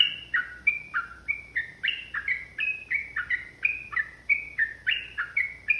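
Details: Yellow-vented bulbul in fighting song, loud liquid notes repeated about three times a second, each short phrase bouncing between high and low pitches, over quiet background hiss.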